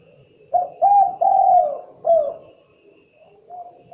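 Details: Spotted dove giving a run of four low, soft coos, the middle one longest and slightly falling, followed by a quieter, fainter coo near the end. No other sounds.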